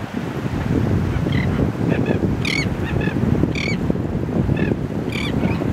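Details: Terns at a beach hammock near Tybee Island on April 15, 2024, giving harsh, rasping calls with sharply bent, scratchy notes at irregular intervals of roughly one second, over steady roaring wind.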